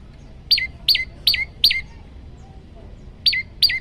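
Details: Olive-backed tailorbird singing a varied song for training birds: four sharp, falling high notes, a pause of over a second, then two more notes of the same kind.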